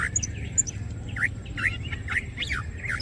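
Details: Greater green leafbird, green cucak, opening its wings and singing in full gacor form as masteran material: short whistled and slurred notes near the middle-high range, some sharp high chips, steadily repeated, over a constant low hum.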